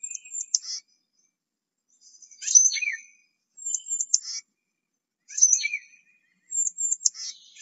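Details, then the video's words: Tufted titmouse calling: short high buzzy, scratchy notes with descending sweeps, given in bursts about every one and a half seconds, with quiet gaps between. "Bird Songs of Tufted Titmouse"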